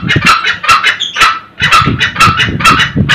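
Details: Red junglefowl pair, male and female, cackling 'ngekek' for luring older wild males in the early morning; harsh repeated kek notes, a brief pause midway, then the series resumes, with a short high whistle heard once.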